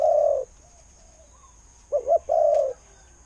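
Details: Mellow coos of a Thai decoy spotted dove: the end of one long coo, a pause, then a wavering double note and another drawn-out low coo.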